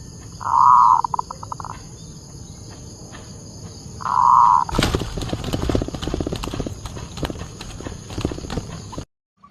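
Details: Zebra dove, a local perkutut kept to lure other doves into answering. Two rich cooing bursts, each trailing off in rapid clipped notes, about four seconds apart. Loud rustling and handling noise follows for the remaining seconds.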